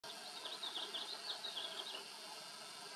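A House finch gives a quick run of thin, high chirps, about a dozen in a second and a half, over a steady background hiss.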